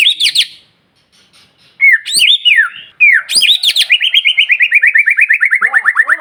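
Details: Provocative song of a White-rumped shama meant to stir rival birds: sharp high notes and slurs, then a fast trill of about twenty repeated notes gradually falling in pitch.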